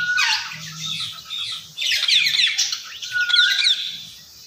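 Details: Indian ringneck parakeet that talks, giving two long bouts of harsh, grating screeches broken by a brief flat whistle, with soft background hum.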